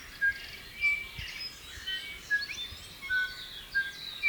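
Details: Silvereyes feeding on fruit in a garden give thin, high chirps and short whistled notes in loose bursts about every half-second, several birds seemingly calling at once over faint hiss; bellbird song in background.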